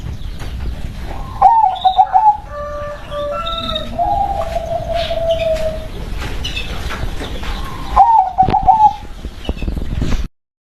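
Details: Local zebra dove cooing: a rapid bubbling trill, a long mellow drawn-out coo, then another trilled phrase near the end, with faint background noise.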